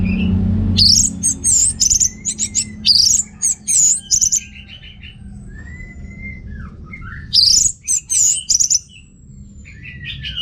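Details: Orange-headed thrush song used as a lure for males lacking breeding urge: loud bursts of fast, high, swooping notes separated by pauses, with softer slurred whistles filling the gaps.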